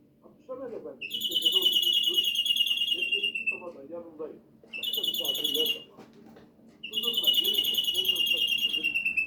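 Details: Greenfinch (flurya) delivering three long buzzy nasal wheezes, each lasting one to two and a half seconds and slightly falling, separated by pauses, with low murmuring in the background.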